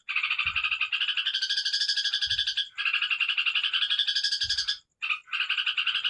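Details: Yellow-vented bulbul (trucukan) in ngekek song style: a long, fast, continuous chatter of repeated harmonic notes, about four a second, with brief breaks near three and five seconds and soft low knocks now and then.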